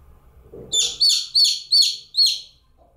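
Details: A lone young chick calls with five sharp, high, falling peeps spaced about a third of a second apart, after a soft low rustle at the start. No other sounds are heard.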